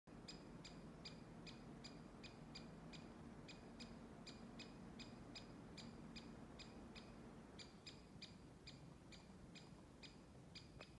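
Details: Lesser spotted woodpecker in Oslo, Norway, 29 September 2020, giving a rarely heard alarm call: a long series of thin, high, sharp 'kik' notes, about two per second, over a steady low background rumble.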